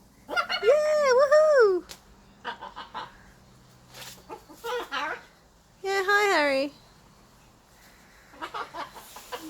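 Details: Pet blue-and-gold macaw at play, talking and laughing: a run of varied, wavering, voice-like calls, some drawn-out and bending in pitch, others short and choppy, with pauses in between.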